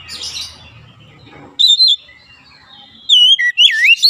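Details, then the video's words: Oriental magpie-robin singing to provoke rivals: a soft scratchy jumble, then sudden loud rich whistles, a pause, and bright looping, warbled whistled phrases sweeping up and down. "PANCINGAN KACER langsung gacor ngotot"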